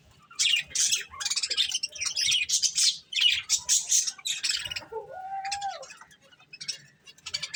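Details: Budgies feeding on corn chatter in quick scratchy chirps and squawky bursts, with a lower whistled note that rises then falls near the end.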